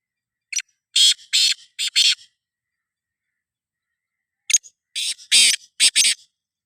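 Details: Black francolin giving a grating rhythmic call, a burst of four to five rough, high, scratchy notes, a pause of about two seconds, then a similar phrase; otherwise quiet.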